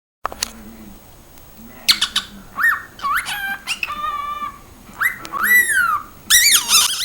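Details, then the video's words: Cockatiel singing and talking: varied whistled notes, some rising and falling smoothly, others in stacked harmonic bursts, separated by short pauses, ending with loud rapid squawky phrases; a person speaks nearby. "Calopsita Cantando e Falando - Som da Calopsita"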